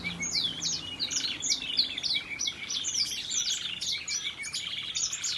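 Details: Variegated red factor canary singing a waterslager melody: continuous rapid chirping of high bright notes, repeated trills and quick slurs running steadily without pause over a faint background hiss.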